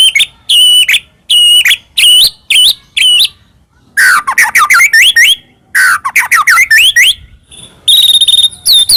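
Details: White-rumped shama singing to provoke another shama, its song full of fill phrases: loud harsh notes with falling tails, then quick runs of rising whistled slurs, ending with long steady whistles.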